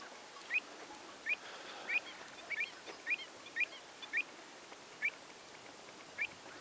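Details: Common shelducks recorded in April 2014: a series of short, sharp, slightly rising notes repeated about every half second, with uneven gaps, over a faint hiss.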